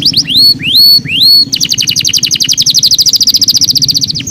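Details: Canary song: three rising whistled sweeps, then a fast, even trill of about 143 notes a minute, high and bright, with faint low music beneath.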